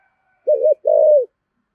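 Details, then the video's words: Spotted dove kept as a decoy, 'giọng thổ' coo: a brief bubbling note leading into a longer, smooth, gently falling coo. Low-pitched and clear against a quiet background. "Chim Cu Mồi/ cu gáy giọng thổ thúc gù"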